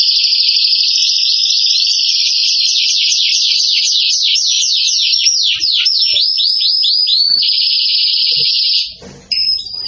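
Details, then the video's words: Canary in excited song, a long unbroken rolling trill of fast slurred notes changing pace and shape, then a steady buzzy trill broken briefly by a short noise near the end. "تغريد كناري هائج"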